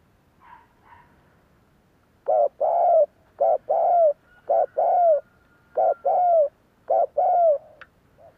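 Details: Spotted Dove cooing in the style used to make other doves coo back: a soft opening, then five regular pairs of short hoot and long downslurred coo, steady and resonant.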